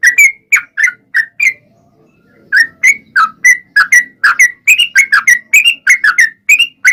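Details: Trucukan, or Yellow-vented Bulbul, singing gacor as a lure to prompt other birds to sing back; short bubbly whistled notes in a steady run, a brief pause after one and a half seconds, then a denser rapid series.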